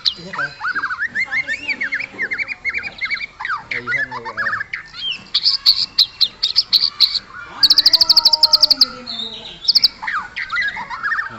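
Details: Aggressive white-rumped shama song used to provoke other birds into singing: rapid varied phrases of slurred whistles, sweeps and dense high trills, with a fast burst of sharp ticks near the end.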